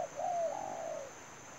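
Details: Decoy spotted dove in a trapping setup gives a brief note, then a drawn-out, soft, gently falling coo. A constant thin high-pitched hum stays in the background.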